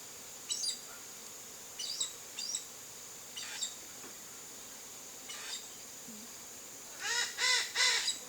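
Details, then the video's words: In a Cerrado backyard in Brazil, a chestnut-eared aracari ends with a burst of three harsh, rasping calls after several short, thin chirps from other birds, all over a continuous shrill insect hum. "O Canto do Araçari-Castanho Bisbilhotando no Quintal"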